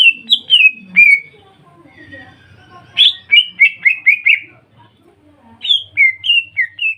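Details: Lure song of a greater green leafbird, played to set other leafbirds singing: bursts of rapid, sliding whistles in three phrases split by quiet gaps, with the middle phrase a quick chattering string of descending notes.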